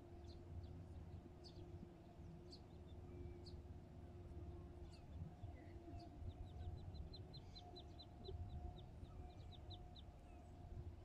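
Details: Great crested grebe with its chicks, Pärnu, 17 June 2024 at ten in the morning. Scattered high, short piping notes give way to a quick run of a dozen evenly spaced peeps, with a constant low rumble behind.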